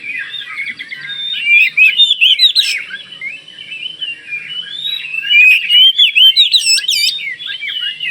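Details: Vigorous song of a Kalimantan (Borneo) Oriental magpie-robin, used to spur other magpie-robins to reply. It is a mix of twisting whistles and chatter, with loud clusters near two seconds and a strong series of steeply rising notes between five and seven seconds.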